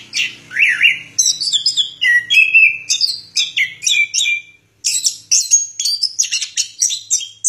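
An orange-headed thrush sings a rapid, varied run of sweet whistled and chattering phrases, high and bright, with barely a pause between them. A faint low hum lies underneath.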